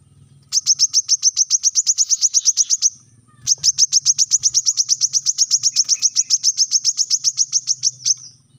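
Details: Brown-throated sunbird, a recording used as a training model for captive birds, giving two long rapid trills of sharp high chips, about four per second, separated by a short pause; a faint low hum underneath.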